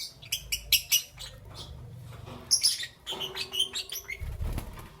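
Lovebirds give sharp, shrill high chirps in scattered bursts, mixed with rustling and wing-flapping noises.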